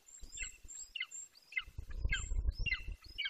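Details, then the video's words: Juvenile Golden Eagle, 18 weeks old, calling near its nest in Bucovina, 9.6.21. Quick paired, downslurred squealing yelps come in clusters, with thin, very high whistles above and some low wind buffeting. "Bucovina Golden Eagles ~ We Hear You Zenit!! Lots Of Vocals Close To The Nest!"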